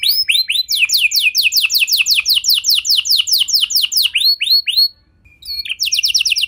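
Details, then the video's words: Lure song of a canary to set other canaries singing, with swooping rising notes leading into a long run of quick descending whistles, a short silence, then a renewed trill. "Pancingan Suara Burung Kenari Lagu Unik! Buat Kenari Mana Saja Pasti Ikut Bunyi"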